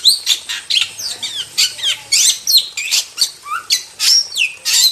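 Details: Wild starling (jalak) in full masteran song: a lively jumble of scratchy chatter, high squeals and swooping whistles, repeated rapidly with short gaps, one low-pitched down-slur near the end.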